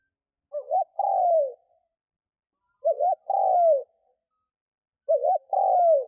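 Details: Luring wild doves, a decoy spotted dove repeats three deep two-part coos about every two and a half seconds: a short quavering note, then a sustained falling coo, with silence between.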